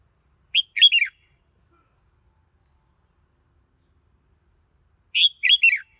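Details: Two brisk bursts from a red-whiskered bulbul, each a cluster of three high, chirping notes sliding downward, spaced roughly four and a half seconds apart in a quiet setting.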